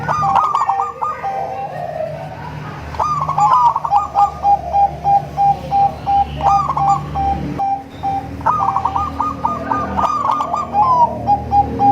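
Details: Local zebra dove, crossed with Bangkok stock, singing to lure other zebra doves; melodious trilled coos followed by long runs of steady repeated notes, with two song bouts and a low hum beneath.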